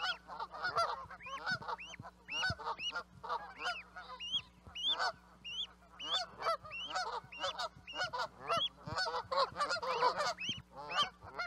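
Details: Sustained Canada goose flock calling for over eleven seconds, continuous overlapping honks with upturned high notes from many birds and no pauses.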